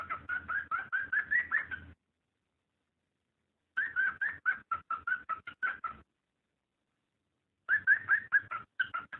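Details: Cockatiel mating call meant to encourage breeding. Three bursts of rapid chirping whistles, each around two seconds long, with notes sliding slightly upward toward the end of a burst. A faint low hum sits underneath.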